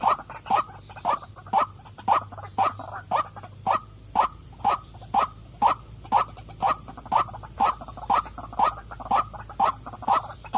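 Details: Sustained calling by a female white-breasted waterhen: rasping, croaky notes repeated very regularly about twice per second for over ten seconds.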